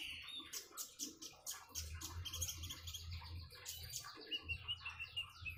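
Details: Common iora song with trickling water: quick high chirps and short whistled notes over a steady low murmur, fairly soft and partly masked.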